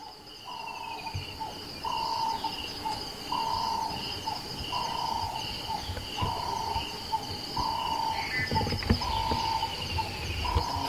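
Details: Nightjar calling in the early morning in Kruger National Park, South Africa: steady, tonal notes of even pitch, each under a second long, repeated about every 1.5 seconds over high, constant insect trilling.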